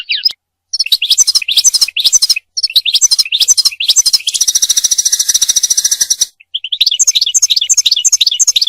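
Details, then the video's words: Song of a European goldfinch, used for mating and for training goldfinches to sing; fast tinkling twitter broken by a long dense buzzy trill in the middle, then more bright chirped notes. "مجموعة اصوات لطائر الحسون ل التزاوج و تعليم الحسون التغريد"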